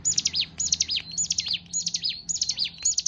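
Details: Hill prinia (ciblek gunung) song: six short, bright phrases of quick up-and-down chirps, delivered in a steady run about two per second, high-pitched and clear over faint low rumble.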